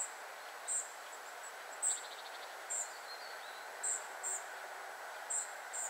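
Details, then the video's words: Calls from a family of spotted flycatchers: sharp, high-pitched single tsee notes spaced unevenly every half second to a second, plus a short quick rattle of faint ticks, against steady background hiss. "Family of spotted flycatchers / Rodzina muchołówek szarych"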